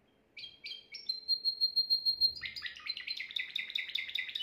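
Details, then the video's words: Timbrado canary, the owner's best bird, recorded at home, singing a flawless song meant for training young canaries: clear whistled notes, then a long steady tone, then a fast run of rolling, bubbling syllables. "chant canari sans faute pour l'écolage des jeunes"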